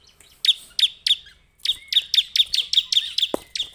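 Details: Bar-winged prinia giving crisp, high, clicking chirps, each followed by a thin level ring. The notes come slowly at first, then in a quicker, even series, with one brief lower swooping note near the end.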